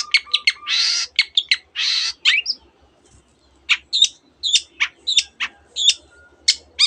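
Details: Long-tailed shrike with canary and other borrowed birdsong in its repertoire: quick chips broken by two long harsh hissing bursts, then spaced, clear, ringing high notes over a faint low hum.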